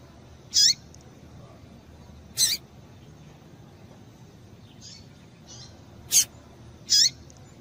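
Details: Calls of a female Double-collared seedeater meant to stir a male: brief, piercing high-pitched chips, four loud and two softer, spaced irregularly over a faint background hiss.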